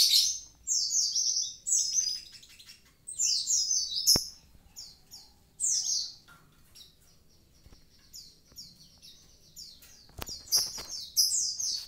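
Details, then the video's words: Javan pied starling in full active song: bursts of loud, piercing, descending whistles and harsh chattering phrases. Short pauses separate the bursts, and a few sharp clicks are heard against a quiet background. "konin ijoan gacor aktif"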